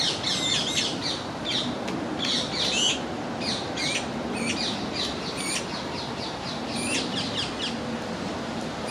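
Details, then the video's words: Juvenile Eurasian magpie begging from its parent for peanut pieces in a rose garden; dense series of harsh, rasping squawks and squeaks repeated irregularly throughout, against continuous hissing outdoor background noise. "Insatiable young Magpie"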